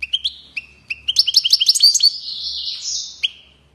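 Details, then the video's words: European goldfinch singing a goldfinch-training song: bright, high twittered notes, a few spaced chirps, then a fast run of tinkling trills and a long buzzy, wavering phrase ending in a single sharp chirp. "Saka Huylandırma 👉 Çıldıran Saka - Goldfinch goes crazy - Carduelis - صوت تدريب الحسون"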